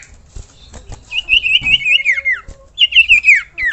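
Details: Common iora masteran song: a long rapid warbling trill of linked whistled notes that slowly falls in pitch, then a short pause and a second quick trill ending in a downward slide, with faint clicks.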